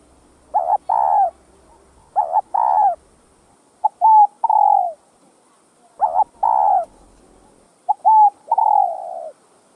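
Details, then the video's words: Spotted dove coo sequence (gáy gọi, thúc, gù) used to excite caged birds: two-part phrases of a stuttered coo followed by a longer rounded coo, repeated about every two seconds, mellow and low against near silence. "CHIM CU GÁY Giọng Hấp Dẫn ĐỦ BÀI [GÁY GỌI,THÚC,GÙ ]Kích Bổi Nhanh Nổi"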